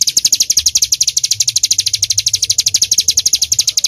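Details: Bar-winged prinia, locally ciblek gunung, singing in rapid-fire 'nembak' style for songbird tutoring: quick, shrill, evenly spaced chips about ten per second, with slight pitch wobble between notes.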